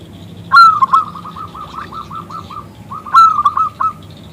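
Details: Zebra dove from a local line, loud and clear, calling a male to answer in song: an accented opening note followed by a rattling series of quick, even coos, repeated twice.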